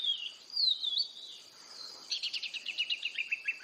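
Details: Kacer, or oriental magpie-robin, in energetic song: a loud slurred whistle that rises and falls, a short pause, then a rapid stuttering series of buzzy notes sliding downward, with a constant high background whine.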